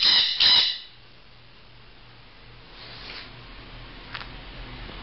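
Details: A pet bird trying to get its owner's attention and wanting to come out gives two loud, harsh, grating squawks back to back, then falls quiet; faint indoor hum and a soft chirp follow.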